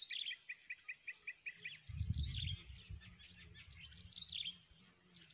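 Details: Wild yellow-vented bulbul chicks in the nest, recently hatched, while a parent feeds them: a quick series of short high chirps repeated about every quarter second, then denser overlapping chirping, with a low rumbling noise in the middle.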